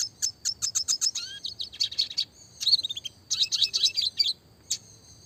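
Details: Red siskin of the classic type singing actively in the 'roll tembak' style used as a master song for training small songbirds: fast bursts of high, clear chirps and buzzy trills, with short rolling runs and pauses.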